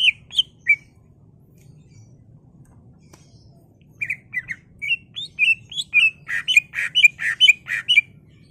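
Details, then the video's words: Greater green leafbird song used to provoke caged birds to sing; a few isolated whistles, then a building sequence of short slurred notes ending in a fast string of loud, harsh chattering phrases, with low background hum. "CUCAK IJO GACOR EMOSI BONGKAR ISIAN NGENTROK/ PANCINGAN CUCAK IJO BIAR EMOSI"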